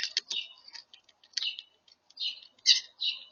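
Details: European starlings feeding, giving a quick series of short chirps and buzzy, whistled notes, some bursts squeaky and others grating, with brief pauses between clusters and soft clicking sounds in between.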